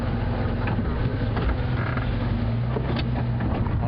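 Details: Vehicle engine rumbling low and steady on a sunrise safari drive, with faint creaks and rattles over the hum.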